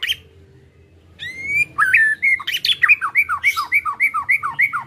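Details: White-rumped shama song to encourage a caged bird to sing: a pure rising whistle, then a steady series of looping slurred notes repeated about three times a second.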